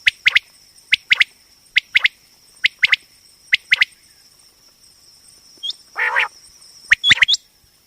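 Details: Common quail, stated as a female, calling for quail hunting: sharp, clipped notes in groups of two or three, repeated roughly every second, one rougher buzzy burst midway, and a constant high-pitched hum behind.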